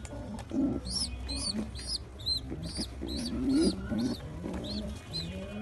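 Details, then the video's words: Baby pigeon still hungry after a big feed from its mother, squeaking loudly: high thin squeaks repeated about twice a second, with low murmuring coos and rustling beneath. "Baby pigeon still hungry after big feed loud & noise squeaking"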